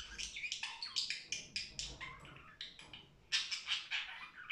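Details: Budgerigar singing cheerfully: a continuous, dense chattering warble of quick buzzy and squeaky notes, with short whistled slides mixed in and a louder burst near the end.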